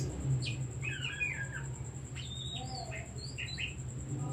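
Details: Oriental magpie-robin singing as a decoy for other birds: a few bright whistled slurs and short rising notes, fairly sparse, partly masked by a strong low droning hum and a steady high tone.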